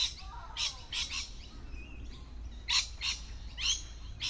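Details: Harsh, broadband lorikeet screeches burst out in short separate blasts from birds concealed in a tree, a few sliding chirps mixed between them over steady low background hum.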